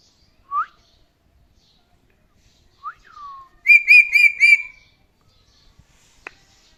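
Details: Male pet parrot with scattered short rising whistles, then four loud, rich, buzzy whistled notes in quick succession. A sharp click sounds near the end.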